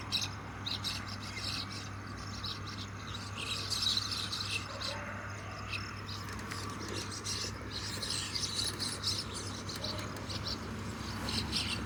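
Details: Flock of common mynas foraging on grasshoppers, with irregular high chattering chirrups rising and fading throughout over a persistent low hum.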